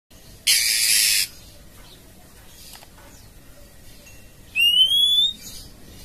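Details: Female oriental magpie-robin calling the male: a harsh, hissing rasp lasting nearly a second, then after a pause a clear whistle sliding upward, over faint background hiss.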